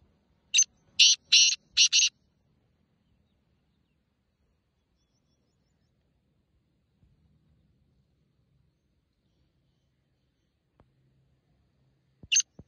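A black francolin gives a quick series of harsh, grating notes, then falls silent.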